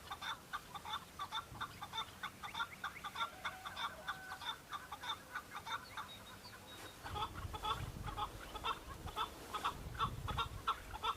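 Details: Male chukar partridges on Bamo mountain, Kurdistan, singing and fighting while displaying for mates in breeding season, give rapid, harsh clucking chuk notes, one or two a second, in a loud excited chorus over low rumbling.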